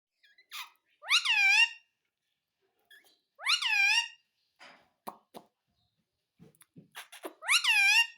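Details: Pet Indian ringneck parakeet indoors, said to mimic "mummy papa": three loud, harmonic, rising-then-falling bursts of nasal vocalising at about 1, 3.5 and 7.5 seconds, with faint clicks and taps between them.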